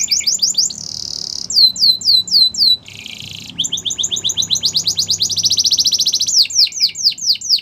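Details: Yellow canary morning song with varied phrases: falling swoops, a dense high trill, a low buzzy rattle, and accelerating rolling trills over faint background hum.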